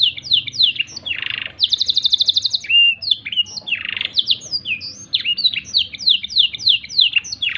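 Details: Black-throated canary song used as a tutor recording for training canaries: rapid high sweeping notes, a fast even trill near the middle, buzzy rasping bursts, then a run of quick repeated downslurred chirps.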